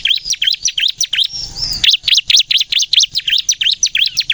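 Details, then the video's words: Ciblek kristal, the bar-winged prinia, singing: quick high V-shaped chirps, a short rustling gap, then a steady rattle of sharp notes at roughly three per second. "suara burung ciblek kristal gacor nembak untuk pikat pancingan ciblek bahan agar bunyi"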